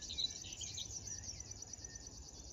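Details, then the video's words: Morning of 10 June 2022 along the Drentse Aa at Tynaarlo, Netherlands: a river warbler delivers a steady, high, sewing-machine-like stream of evenly spaced buzzy pulses, rhythmic and unbroken, with one faint whistle from another bird. "Krekelzanger - River Warbler"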